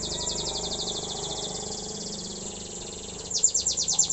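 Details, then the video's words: Canary learning to sing: a long even trill of rapid high downslurred notes, then louder slower descending sweeps near the end, over a constant low background hum. "suara burung kenari belajar gacor"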